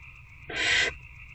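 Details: One loud, broad, breathy barn owl screech lasting under half a second, recorded in a nest box at night while an adult fed an older owlet in February, with a constant background hum.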